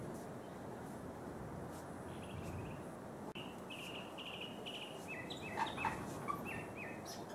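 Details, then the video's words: A mockingbird singing early in the morning from a neighbor's tree about 50 yards away gives short, varied phrases, each note repeated several times in quick chirpy bursts, over a steady low rumble. "Song of the Mockingbird"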